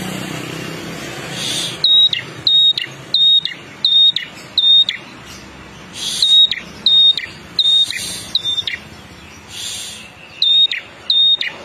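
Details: Prinia, called prenjak kepala merah, singing steadily: repeated sharp high whistled notes, each a short flat tone with a quick drop, in pairs and runs, with passing vehicle noise between phrases.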